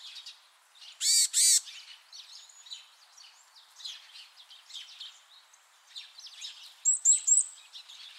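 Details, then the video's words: Varied tit in a rural backyard jujube tree giving two loud, harsh nasal notes, then scattered thin chips and high whistled notes, with other soft bird calls faint in the background. "곤줄박이 우는소리"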